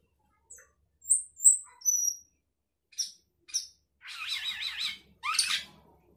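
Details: Sooty-headed bulbul in isian-filled song aimed at outdoing rivals: scattered thin high whistles, two short chips, then a long buzzy zigzag trill followed by a harsh rising note.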